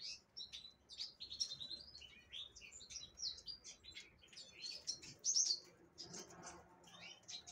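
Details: Black-throated canary, impriga subspecies from Angola, captive-bred and hatched 6 December 2023, sings a lively stream of sharp high twitters and buzzy trills in bursts, ending with a few scattered chirps.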